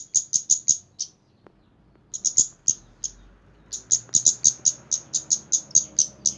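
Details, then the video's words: Kemande bird singing actively, a fast series of thin, high, sharp chirps, about seven per second, in three bursts separated by short pauses, with faint low background noise. "burung kemande gacor"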